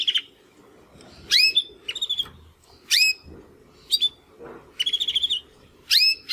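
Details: Young Timbrado canaries, two brothers born in 2020, trying to sing after their first molt: scattered rising whistled notes, short chirps and one brief rattling trill, broken by gaps.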